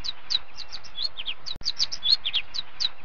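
Sparrows chirp in a busy stream of short, bright notes, several each second, with a brief break midway and faint background hiss.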